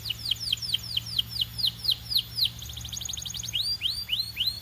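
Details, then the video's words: Belgian canary in song, delivering a rapid string of sharp descending whistled sweeps, a brief dense trill, then slower repeated down-slurred notes, all high-pitched over a low steady hum. "Impossible If Your Canary Does Not Immediately Sing‼️ Belgian Canary🐦"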